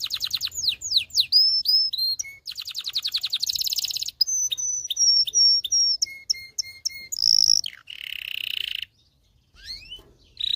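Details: Canary singing for training males and preparing hens to mate: steep downslurred whistles, rapid trills, a run of level ringing whistles and low notes, a harsh buzzy burst, then a short quiet gap and soft slides.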